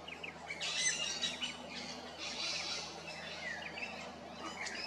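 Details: Rainbow lorikeets at Big Swamp Station, South Australia, squawking and chattering in harsh, high, overlapping bursts, loudest early on, then trailing into softer calls.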